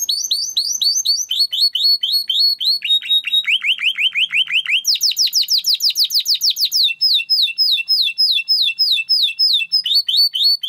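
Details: Timbrado canary training song made of continuous rapid trills, each a repeated downswept note, moving between higher and lower rolling passages without pause.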